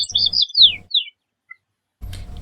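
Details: A White-crowned Sparrow from Colorado sings an unusual version of its song: high clear whistles, a sweeping downslurred note, then a brief buzzy phrase, with a faint low hum underneath.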